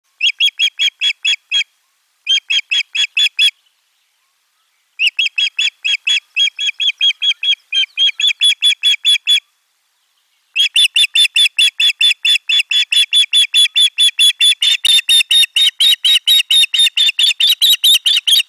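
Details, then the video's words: Osprey at nest camera number 4, recorded 3 June 2022 while a fish is brought and a sound is reported from the egg: bright, sharp chirping notes repeated rapidly in bursts, then a long unbroken run of steady calls. "ääni kuuluu munasta"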